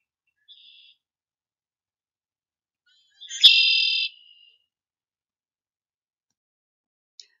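A Red-winged Blackbird gives a faint opening note, then a loud, harsh, buzzy trill lasting about a second, the familiar territorial song. Nothing else is heard.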